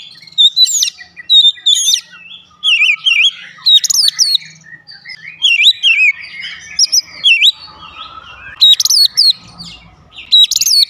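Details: Oriental magpie-robin (Copsychus saularis), song.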